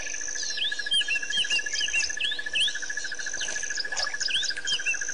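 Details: White-fronted bee-eaters at Pete's Pond, Botswana, Africa, recorded 10/9/07: short, clipped, hooked chirps repeated in quick loose bursts by several birds, over a steady, pulsing insect trill and a thin high insect whine.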